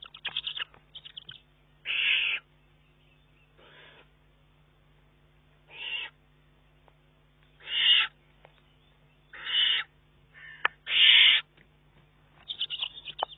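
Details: Juvenile Eurasian eagle-owl pressing its mother for food as she arrives; harsh rasping hissed screeches repeated every one to two seconds, some louder than others, against a quiet background.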